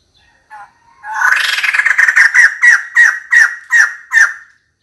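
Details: A female white-crested laughingthrush (Garrulax leucolophus) calls for a mate: a harsh, rattling chatter breaking into about eight loud, downslurred notes, roughly three per second, with no other sounds.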